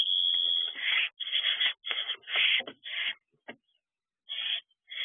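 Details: Owlets in a nest box at dawn, 5:23 am on 30 June 2023, siblings returning to the box though able to fly; harsh, breathy hissing screeches in uneven bursts of about half a second, with short silent gaps between.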